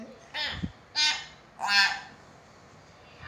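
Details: A common hill myna gives three coarse, harsh squawks roughly every half second, set against low background noise. The sounds are used to encourage sluggish mynas to call back.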